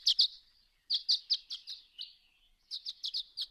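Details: Violet-green Swallow dawn song, heard around 2 a.m. in the dark: high, thin chips and twittering in quick clusters of two or three. The bird sang continuously while flying in big circles high overhead against the stars.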